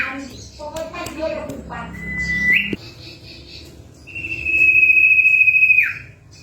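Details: Two long, steady, high whistles from a Common Iora, possibly a female calling a male: the first ends in a quick upward flick, the second in a falling slur, after a brief jumble of voices and clatter.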